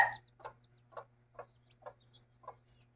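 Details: Mother hen with chicks: one loud opening note, then five soft, regular clucks about every half second, with a faint chick peep and low background hum.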